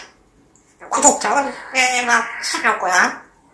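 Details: A pet grey parrot produces speech-like mimicry indoors, a few quick, voiced, word-like phrases in a human register, with light clinking of dishes.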